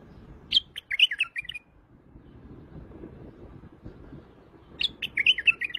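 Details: White-eared bulbul from Iraq singing two short, bright warbled phrases about four seconds apart, each a quick run of rising and falling liquid notes lasting about a second, over a faint low background rumble.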